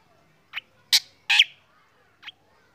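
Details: Black drongo singing in the morning during sunning, urging other birds to call; four notes, two soft chips framing two loud harsh rasps.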